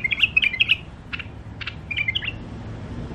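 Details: Caged wild-caught songbird from Mandali offered for sale, giving a short burst of clear slurred whistled notes, then two brief sharp clicks and another short whistled phrase over a low background hum.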